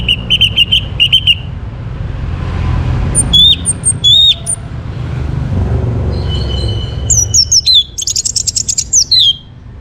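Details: Orange-headed thrush in morning song meant to stimulate breeding readiness: clear repeated whistled notes, then slurred upward and downward whistles, ending in a fast, dense run of high twitters, with a low hum throughout.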